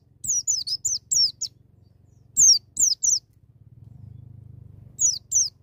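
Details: White-eye singing wild 'ngalas' style to spur young birds: a rapid run of five high, falling notes, then a trio, then a pair, over a steady low electrical hum.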